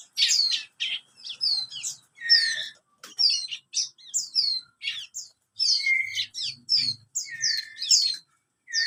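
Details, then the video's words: Thirty-day-old juvenile bar-winged prinia in a continuous twittering song of high, sharp descending notes mixed with lower steady whistles, delivered in quick irregular phrases. "burung ciblek kristal usia 30 hari sudah ngeriwik nembak nembak"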